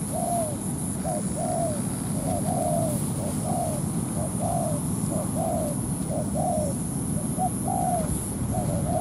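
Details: ['Spotted dove used as a ground decoy in a trap, luring a wild dove that followed from morning until noon before landing to fight. Two-part coos, a short note then a longer falling slur, repeat steadily over a low rumble and a constant high whine.']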